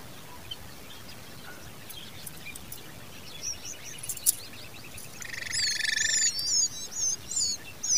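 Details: Common babbler chicks being fed by their mother, crying for food: a brief harsh buzzy burst in the second half, with high thin chirps around it after a quiet, noisy start.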